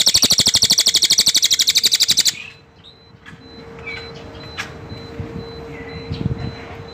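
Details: Cililin delivering a loud, fast, regular buzzy trill for over two seconds, then falling silent as soft background noise, scattered faint chirps and a steady hum remain.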